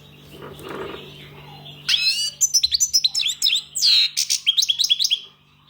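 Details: Song of a European goldfinch: a soft rustling noise first, then from about two seconds a lively, liquid twittering with tinkling trills and quick chirps, briefly broken by a clear sweeping note. A faint steady hum sits in the background.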